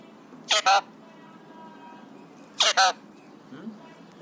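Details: Excited three-year-old Alexandrine parakeet kept as a pet, said to imitate coughs, whistles and screams. Two harsh, broad double bursts about two seconds apart, each a quick pair of rasping notes, with quiet background between.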